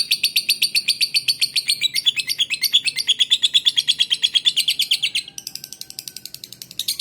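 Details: Lovebird from Palembang with song used to lure other male and female lovebirds. A fast, sustained stream of shrill chirps breaks off into softer, thinner chatter, with a final loud note.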